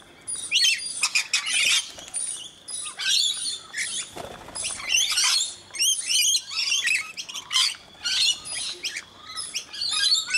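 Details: Rainbow lorikeets gathered for feeding in Brisbane, Australia, alongside one scaly-breasted lorikeet, keep up a long run of harsh, chattering screeches in rapid uneven bursts, with a short thud of handling noise partway through.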